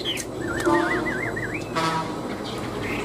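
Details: A caged, tame Chinese hwamei gives fighting song: a run of five or six quick, looping whistled wobbles, then a brief sharp note and softer calls, with low background noise.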